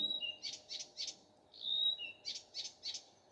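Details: Common nightingale singing in the morning: a long pure whistle, then a burst of three buzzy strokes, the whole phrase repeated once.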